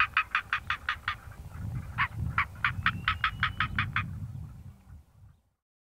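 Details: A Northern Black Korhaan calls from a termite-mound song post in southern Africa, giving harsh, rasping croaks in quick bursts of about six a second, a short pause, then a longer run, over low wind rumble.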